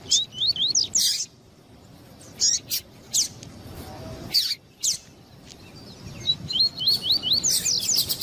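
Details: Double-collared seedeater, a female calling to warm up the male: short clusters of upward-slurred whistled notes at the start and end, with loud clicking bursts between them.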